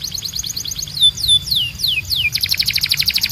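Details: Canary singing training audio: a soft high trill, then distinct long down-slurred whistles, ending in a rapid pulsing trill of repeated notes.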